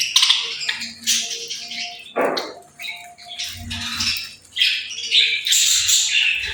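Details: Birds in a playful chattering chorus, with rapid scratchy chirps and squeaky twitters coming in uneven bursts, a short harsh rasp at about two seconds, and a soft low rumble underneath.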